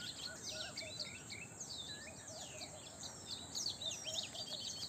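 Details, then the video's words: Early-morning chorus of several birds: rapid high chirps and downward-sliding whistles mixed with lower, softer warbled notes, continuous and busy throughout, over light environmental hiss. "Sweet Bird Chirping in Early Morning पक्ष्यांचा गोड आवाज"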